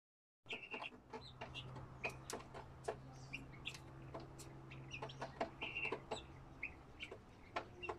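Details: A flock of helmeted guineafowl chatter with harsh, scratchy clicks and grating squawks over a steady low hum while being fed layers mash.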